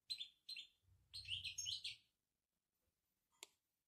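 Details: Moroccan European goldfinch giving its betbeta twitter: quick bright chirps in two short bursts, then a denser run of tinkling, buzzy notes lasting about a second, with a faint low rumble beneath and one sharp click near the end.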